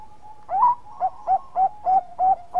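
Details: A Bangkok-type zebra dove in full song, used as a lure, gives soft, mellow cooing notes, about six short hooted phrases in quick rhythmic succession at a steady low pitch, over a faint steady hum.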